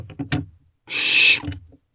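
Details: Owlets in a nest box at night, recorded at 1:56 am on 28 May 2023; a soft knocking and shuffling leads into one harsh, breathy hissing screech lasting about half a second.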